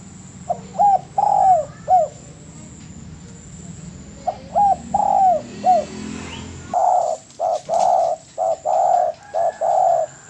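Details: Spotted dove song for bird-training masters: two looped coo phrases, then a run of rapid rounded coos from several overlapping notes, with background hum.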